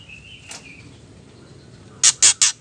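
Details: Female white-rumped shama ketrekan call, used to excite males into singing. A faint thin whistle opens, followed after a quiet pause by three loud, evenly spaced harsh rasping bursts.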